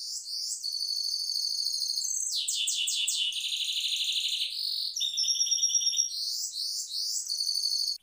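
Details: Continuous, loud rolling song of a caged mule goldfinch, fast high trills and buzzy rattles changing pitch every second or so, with no pause throughout.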